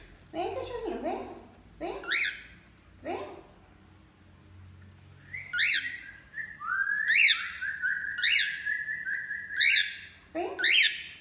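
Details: Cockatiel pair, male and female, bathing and singing: a woman's voice opens, then a long flat whistle runs through the second half, punctuated by bright rising-falling chirps about once a second.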